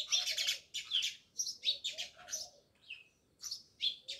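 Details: Near a village house in Jamnagar, many house sparrows chirp rapidly, quick repeated bright notes running almost without pause, some dropping in pitch.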